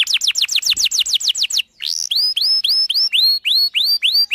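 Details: Canary in a long, energetic song used to prompt other canaries to sing: quick falling whistled sweeps, then a buzzy burst, then clear rising-then-level whistles repeated about every third of a second.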